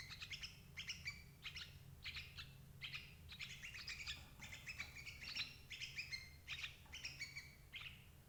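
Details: Sooty-headed bulbul calls used to trap parent birds: steady chains of short, bright chirping phrases with doubled tones, bursts coming every half second or so for eight seconds, slightly fainter, with a low hum behind.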